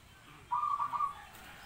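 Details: Zebra dove giving a single short burst of rapid, bubbling low coos, about half a second long, over a quiet background hum.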